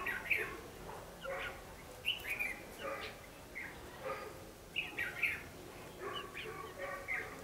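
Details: Red-whiskered bulbul singing a fighting song during trapping: bursts of bright, warbled whistles repeated roughly every second or two, clusters of two to three notes, over faint steady noise.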